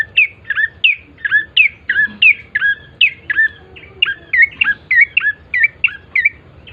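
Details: Bar-winged prinia lure recording to prompt quick singing: a long, steady series of about seventeen loud, bright chip notes, each with a downward twist, delivered briskly without a break.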